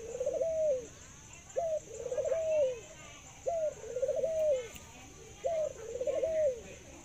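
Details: Pet Thai dove in a cage, said to laugh and coo for a long time, delivers four regular phrases roughly every two seconds: a sharp rising note, a pause, then a trilled rolling coo that drops away.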